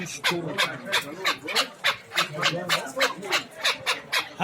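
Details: Hybrid chukar partridges offered at a bazaar in Dushanbe (Zarafshon): loud, sharp chucking notes repeated about three times a second in a steady run, each note sweeping down, with faint market chatter and voices below.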